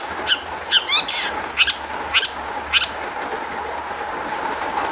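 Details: Long-tailed shrike song used to lure other shrikes into singing: a few sharp, clipped chirps and short harsh notes in the first three seconds, then only a steady hum.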